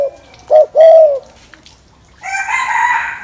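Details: Spotted dove cooing to excite and rouse males: two hollow, low coos, the first short and the second longer with a gentle downward slide, then a loud rooster crow breaks in.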